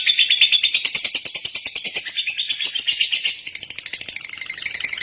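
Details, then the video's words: A lovebird's long chattering song: rapid buzzy notes, roughly three each second, rising and falling slightly in pitch and softening briefly near the end. "Love bird jernih durasi panjang"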